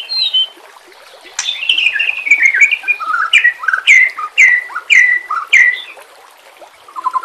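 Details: White-rumped shama song for training caged birds: a warbled run, then a set of loud downslurred whistles repeated about every half second, ending with a low soft trill.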